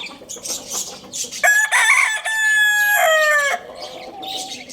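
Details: Lohmann Brown rooster at Lalukhet bird market crows loudly and clearly: a rich, brassy two-second call that rises and holds before breaking off, with soft chirps of small birds around it.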